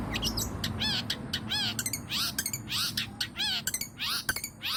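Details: Long-tailed shrike in lively song full of varied fills, played as a lure. Mixed downslurred whistles, squawky notes and rapid chatter follow in uneven bursts.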